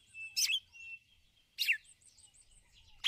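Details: Ticulau calls of a female red-cowled cardinal summoning the male: loud, brief chirps with downward slurs about every 1.3 seconds, backed by soft twitters from other birds.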